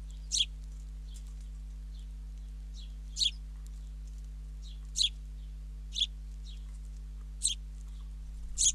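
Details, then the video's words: Sparrow fledgling fed by its father, Ram On, Israel; loud high scratchy chirps repeated roughly every one to two seconds, with fainter softer chirps between and a steady low hum beneath. "Dad feeding a fledling sparrow"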